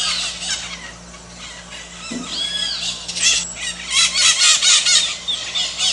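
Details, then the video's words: Maritaca calls starting faint and distant, a low hum underneath, then building into a series of harsh, rhythmic screeches in the final seconds. "MARITACA CANTANDO"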